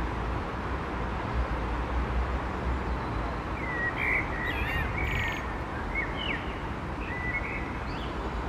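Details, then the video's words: Singing common blackbird against a constant low rumble: several short warbled whistles grouped in the middle and later part, broken by bursts of thin, scratchy high twittering. "Blackbird singing /Amsel singt"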